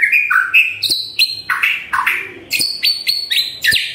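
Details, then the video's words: Shama song played in the morning to draw silent birds into singing, made of varied whistled phrases stepping from low to high, each about a third of a second, in quick succession. "Pancingan PAGI PAGI agar GACOR❗❗ murai DIAM pasti respon LEBIH gacor❗❗"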